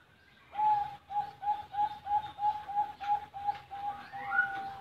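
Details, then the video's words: Captive perkutut bangkok (zebra dove) at a Buleleng, Bali bird farm, giving an even series of soft pulsed coos at a constant pitch, ending with a brief rising note. "Perkutut Bangkok"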